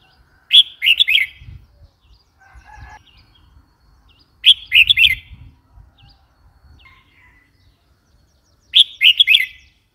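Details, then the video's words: Red-whiskered bulbul repeating the same lively warbled phrase of four or five notes about every four seconds, with faint softer chirps and low rumble in between. "Red whiskered bulbul call 04"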